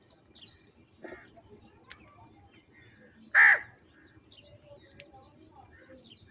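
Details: One sudden, coarse caw from a crow fighting over food, set against quiet twittering of other birds.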